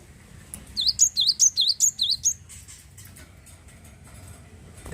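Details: A Java sparrow kept as a keen singer to excite other birds into song delivers a brisk row of seven high, dipping, tinkling notes. Then it falls silent, with soft rustles and a thump at the end.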